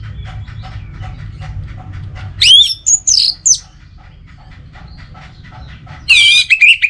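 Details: Orange-headed thrush (anis merah), a kept songbird, against faint background chatter from other birds. It gives high, looping whistled notes in short bursts, then falls silent, then breaks into a loud, buzzy, harmonic-rich phrase that ends in whistles.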